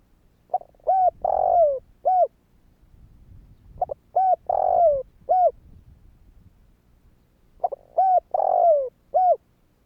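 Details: Spotted dove calling to prompt other doves, three phrases about three seconds apart, each a string of short clipped coos framing one longer descending coo; soft low rumble between phrases.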